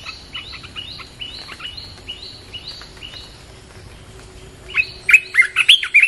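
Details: Red-whiskered bulbul song played to attract wild birds. A steady series of short stepped chirps from another bird repeats in the background, then a loud, bubbly run of about six whistled notes closes the sequence.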